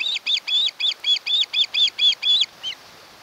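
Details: Nest-camera recording of an osprey at its Kent Island, Maryland nest, 1 August 2018, where a mated pair lives: a steady series of about ten sharp, high whistled chirps, around four per second, ending with one fainter note.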